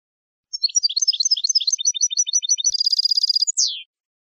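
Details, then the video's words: Saffron finch song from a training recording for captive birds: tumbling twitters become regular repeated chirps, then a rapid rattling trill closed by a drawn-out falling whistle. Nothing else audible. "NUEVO CD JILGUERO CAMPERO PARA EDUCAR"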